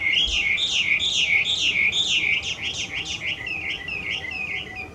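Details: Very loud wild Chinese hwamei, an invasive foreign bird in Japan, pours out fast looping whistles repeated over three times a second, bright and rolling, tapering off softer at the close.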